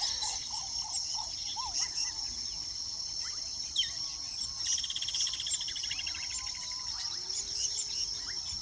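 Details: Weaver birds at their nests give scattered short chirps and brief buzzy rattles, with a denser burst of chatter around the fifth second, over a steady high insect drone.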